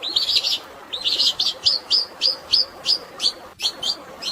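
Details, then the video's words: Long-tailed shrike singing a fighting-sparrow fill with natural water in the background: two quick chattering trills, then a brisk run of evenly spaced, sharp rising chirps, about three per second, over constant watery hiss. "CENDET ISIAN GREJA TARUNG DAN SUARA AIR ALAMI, UNTUK BURUNG STRES"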